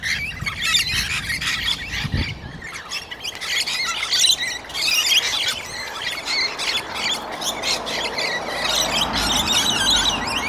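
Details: Australian rainbow lorikeets, two pairs fighting on the ground for dominance, pecking ferociously; dense harsh screeching and squealing bursts fill the whole stretch, many overlapping strident calls without pause, with a low thump near the start.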